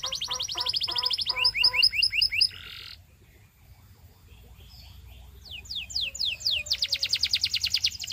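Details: Belgian canary singing: rapid rolling trills of repeated high notes, then a burst of downward-swept whistles, a brief quiet pause, and fresh quick sweeping notes leading into another fast even trill.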